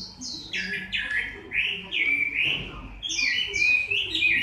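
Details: Moulting Chinese hwamei recorded in October 2015, giving clear slurred whistles, some dropping steeply and others rising, in a fluid varied phrase with quiet low murmurs beneath.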